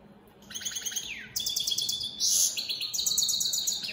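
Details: Singing European goldfinches of the opal split satinette mutation, kept as cage birds: fast liquid twitters, a sliding downward buzz, then dense high trilled phrases that run almost without pause.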